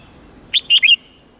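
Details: Red-whiskered bulbul song used to teach young birds: a brief phrase of three or four bright whistled notes, the last one drawn out slightly longer.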